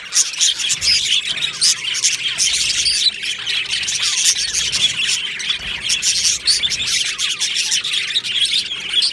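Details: Budgerigar aviary colony on 22 June 2025, dozens of overlapping chirps, trills and scratchy squawks forming a constant lively chatter throughout.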